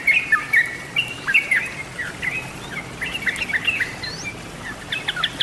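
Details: Sooty-headed bulbul, a lure recording: clusters of sweet, liquid whistled phrases with downward slurs, separated by short pauses, plus a thin high rising note near the end.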